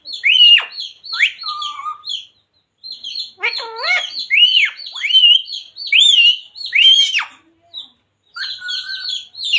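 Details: Pet talking parrot, said to repeat "Radhe Radhe" and "Sita Ram": sharp chirps and whistled notes mixed with a burst of harmonic, speech-like syllables around the middle, with short pauses between phrases.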